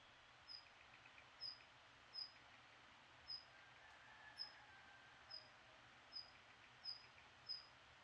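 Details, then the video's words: Birds at dawn at a rural country house: brief high chirps repeated about once a second, each a short bright note, over a steady background hiss of environmental noise. "시골집 새벽에 새소리"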